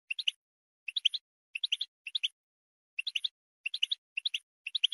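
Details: A European goldfinch gives bright, tinkling bursts of three or four quick high notes, repeated in short groups against a quiet background; the call song is used to motivate goldfinches to sing.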